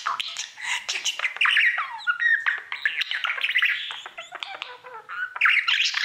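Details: Male pet budgerigar chattering nonstop to his mirror, mixing squeaky whistles, downward-slurred notes and rapid clicks without a break.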